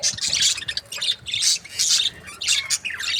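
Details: Budgerigars kept as breeding pairs give loud harsh squawks and chirps in short bursts, roughly two or three per second, with brief gaps between.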